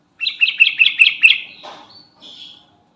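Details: Calling to companions, a Sooty-headed bulbul ('garuda' type) gives six quick, sharp chattering notes, followed by a soft scratchy rustle and a brief thin whistle-like note.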